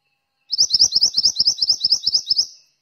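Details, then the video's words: Mantenan bird singing vigorously: a high, thin song of about a dozen quick, sweet twittering notes repeated evenly, roughly six per second, lasting two seconds. "suara burung mantenan gacor"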